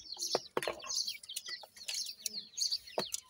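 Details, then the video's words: Chicks of a francolin known locally as irani teetar give high, thin, overlapping peeping chirps in quick irregular bursts, some sliding downward, mixed with sharp knocking and clicking sounds close by. "irani teetar chicks ki best awaaz"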